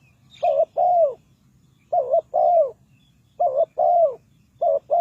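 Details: Decoy spotted dove, Ninh Thuận line, used for trapping wild birds, cooing steadily: four paired phrases, each a brief clipped note then a drawn-out, slightly descending coo, spaced over a second apart, faint background hum.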